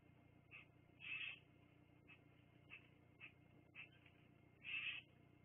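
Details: Bald eagles at the Fraser Point nest, live nature camera, 29 September 2022 at 18:56: thin, high chirps and squeaky chitters, two longer trilled calls, over a low steady hum.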